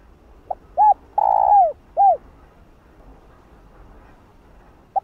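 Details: Single spotted dove phrase used to stir other doves: a faint pip, a short arched coo, a long loud note curving downward, and one arched coo, followed by quiet and a last brief pip.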